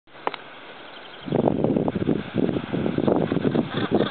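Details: Northern gannets at Bempton Cliffs, Yorkshire: after a quiet start, harsh, grating, rough calls begin and pulse rapidly in dense overlapping bursts, with a steady background rumble.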